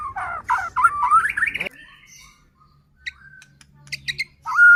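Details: Shama song used to rouse other white-rumped shamas: a loud burst of rich slurred whistles lasting under two seconds, a pause with faint high chips, then one clear sustained whistle.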